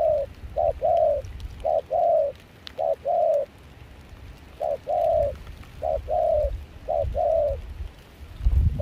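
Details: In cold, windy rain in Kon Tum, Vietnam, a wild-caught Spotted dove used as a trapping decoy, with a mixed foreign voice, gives about seven two-part coos: a brief hoot and a drawn-out, slightly falling one, in uneven rhythm over low rumble.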